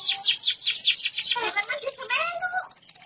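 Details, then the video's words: Deep-yellow canary in full, long rolling song: a fast series of high notes, each sliding steeply downward, then lower warbled phrases beneath a rapid, buzzy high trill. "kenari kuning pekat gacor ngerol panjang sampe aus"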